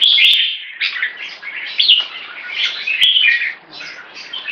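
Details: Red-whiskered bulbul giving "one stroke" song leading to keke: clear whistled phrases with slurred, chattering notes in short bursts, and a few sharp clicks.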